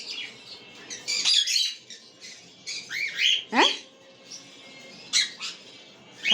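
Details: Cockatiel calling in scattered bursts: harsh high squawks mixed with whistled notes, including a loud sweeping whistle midway, with quiet pauses between outbursts.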